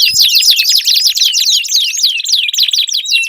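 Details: Lure song of a canary for a bird that has gone quiet. Bright, loud, rapid whistled syllables sweep downward in quick rolling series, ending in a steady high trill.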